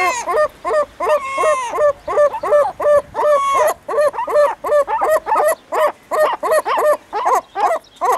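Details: Herring gull in the breeding colony calling a fast, regular series of about twenty loud, nasal, laughing notes, nearly three each second, starting in an excited jumble and then steadying into an even rhythm.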